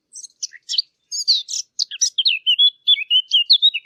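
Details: Loud, close Eurasian blackcap from a hunting-caller recording: scratchy, stuttering chatter opens the phrase, then it flows into a clearer run of fluty whistled notes.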